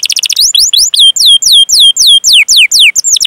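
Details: Long-singing canary in a rolling 'cuit cuit' song meant to lure other canaries into singing. A brief fast trill leads into a string of loud, clear, downslurred whistles, about four per second.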